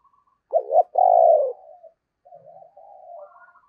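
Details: Cooing of a decoy Spotted dove of the Thổ voice style: a quick double note and a long, loud, falling coo, then quieter wavering coos trailing off.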